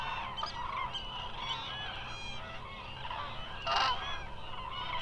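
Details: A big gathering of migrating Eurasian cranes at Israel's Hula Nature Reserve gives a continuous din of overlapping trumpeting calls, with one brief louder burst toward the end.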